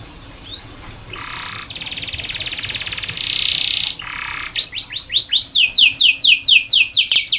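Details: Canary tutor song for training young or reluctant singers: harsh buzzy rolls and a loud rattling trill give way to a rapid series of bright downslurred whistles repeated about twice a second.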